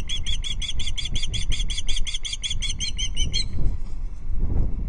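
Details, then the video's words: Female osprey alarm calling from the perch at a Loch Arkaig nest on 5 August 2022, evening, as an intruder osprey flies in the distance: a rapid run of about twenty sharp, whistled chirps over three and a half seconds, then stopping, over heavy low wind rumble. "Intruder Osprey caught on Loch Arkaig Osprey nest cam: Dorcha alarm calls from the perch"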